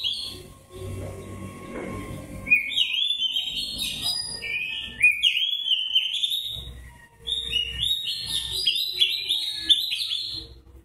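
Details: Oriental magpie-robin with white breast in fighting-style narung song, ngobra manner: after a quieter start, long stream of loud slurred whistles rising and falling, mixed with high buzzy notes, briefly pausing midway.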